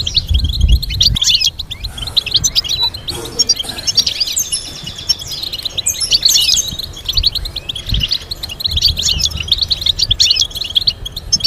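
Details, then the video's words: European goldfinch song meant to teach birds complex melodies: a long stream of quick tinkling notes, buzzy rattles and chattering trills, with occasional low thuds. "Teaching goldfinch to sing complex stimulating melodies"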